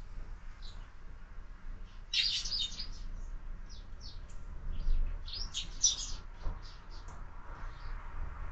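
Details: Morning sparrows at a feeder fixed to a window; scattered short chirps build into two loud bursts of chattering, with quieter single notes between them and a faint low hum.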